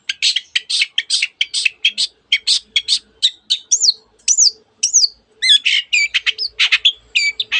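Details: Long-tailed shrike pouring out close-packed song with canary mimicry and phrases copied from various birds: quick repeated buzzy chirps, then looping whistled slurs and trilled notes, with a faint low hum behind.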